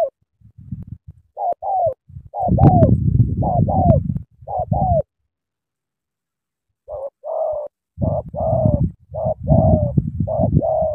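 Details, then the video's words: Spotted dove from Cà Mau cooing hard in the sắm thổ manner. Doubled mellow coos come in two runs split by a few seconds of quiet, and heavy low rumbling and knocking noise sits under the calls. "Sắm thổ quá hăng hàng gù tuyệt vời"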